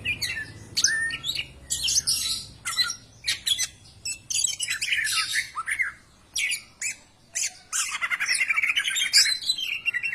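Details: Lure recording of greater green leafbird song to prompt other birds to sing: fast, varied chattering phrases mixing sharp squeaks and warbled notes, ending in a long run of rapid trills and a bright, buzzy passage.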